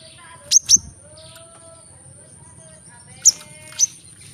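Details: Brown-throated sunbird (kolibri kelapa) giving a quick pair of piercing high chirps, then a pause with faint lower tonal notes, then two more sharp chirps. A soft low hum runs underneath.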